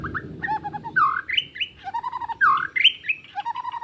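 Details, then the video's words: Wild white-rumped shama singing in the forest during bird trapping: a mellow phrase of rising whistles and lower warbling notes, delivered twice in close succession with light chatter between. "Rekaman suara asli murai batu hutan ketika sedang mikat"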